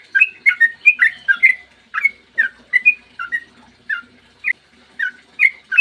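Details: Clear morning song of a sooty-headed bulbul, played to coax other bulbuls into singing; chattering, liquid whistled notes come quickly at first, then space out into single rising and falling phrases.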